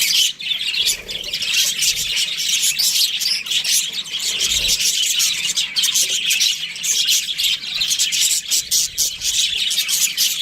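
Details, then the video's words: Relentless bright chirping and squeaky warbling from Australian budgerigars kept as a breeding pair, dense and high throughout, with a faint low bump midway. "Budgies Parrot chirping sounds"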